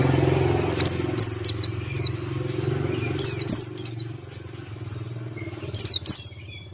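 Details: Buxtoni white-eye, male, giving ngalas-style song: clusters of three to four high, sharply falling chirps separated by pauses, with a continuous low motor drone underneath.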